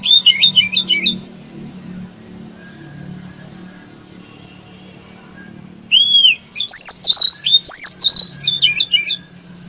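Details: Oriental magpie-robin lure song for trapping: a twisting burst of whistles, several seconds of near quiet with low hum, then an arched whistle and a loud series of sharp, high, repeated whistled notes.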